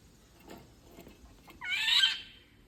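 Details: One rasping, nasal squawk from an Indian golden oriole, lasting about half a second, rough and broadband with a falling end, preceded by soft tapping sounds.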